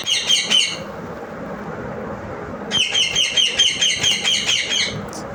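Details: Parrot calling loudly in rapid runs of harsh, grating notes, about two per second. A short burst comes first, then a longer run after a pause. Low background rumble throughout.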